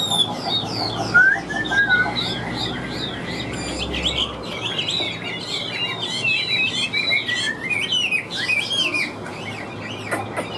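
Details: Chinese hwamei, wild-caught and caged, singing a long varied sequence: scattered chirps and slurred whistles building into a fast, intense stretch of tangled high notes, with a low hum early on.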